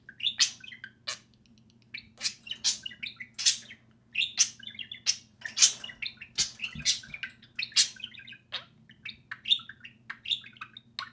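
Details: Lively chatter from two social budgerigars out of the cage, playing and talking: long run of chirps, warbles and raspy bursts with brief gaps, recorded indoors with a low steady hum.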